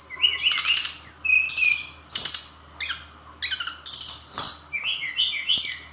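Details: Brown-chested jungle flycatcher from Bali singing in short bursts, each a rattling buzz followed by wavering whistled notes, with brief silences between phrases and a run of rising slurs at the end.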